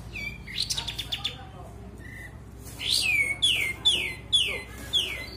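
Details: Sooty-headed bulbul song used as a lure to stimulate silent caged birds to sing again: a brief chattering burst, then clear, high whistled notes sliding steeply downward, repeated about every half second.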